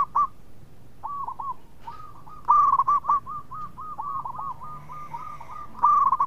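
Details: Zebra dove, a local bird singing eagerly and sweetly as an inviter of song, gives a long, even string of clipped cooing notes on one level pitch, framed by louder accented coos at start and end.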